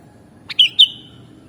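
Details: Mastering recording of a sooty-headed bulbul (kutilang): a brief click leading into two bright, slurred whistles, the second slightly higher, forming a crisp two-part phrase in a clean recording.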